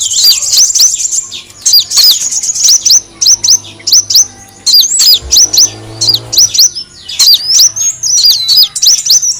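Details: Sunbird lure sound of steady, high, clipped chirps, each a quick bent whistle, repeated in long series with one short pause midway.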